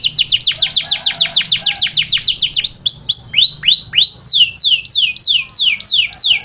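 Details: Indoors in its cage, a grey canary sings quick repeated downslurred notes, then slower, looping whistled phrases rising and falling in pitch.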